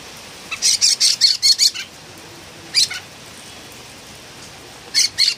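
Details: Philippine bulbul in noisy voice: a rapid run of about six harsh, grating notes, then a single burst, and later another short group of rasps.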